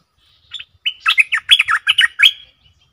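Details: Stripe-throated bulbul, a cage bird, recorded 7 June 2021 for song training: one lively, bubbling phrase of about ten quick, warbled notes lasting under two seconds, with faint low taps beneath.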